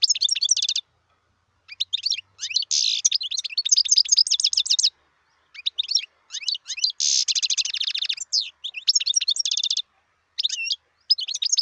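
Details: Wild European goldfinch singing: rapid liquid twittering and tinkling notes in bursts of one to three seconds, with short buzzy nasal passages near three and seven seconds, separated by brief silences; no other sounds.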